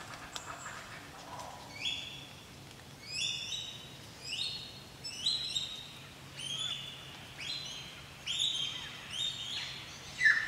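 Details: Wild lyrebird singing in the rain on the Illawarra Escarpment, New South Wales, late August 2018 after drought: a series of loud, high, ringing phrases repeated every second or so, each a bright sweeping note, over a steady hiss of rain.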